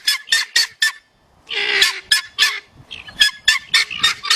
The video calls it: Guineafowl making sounds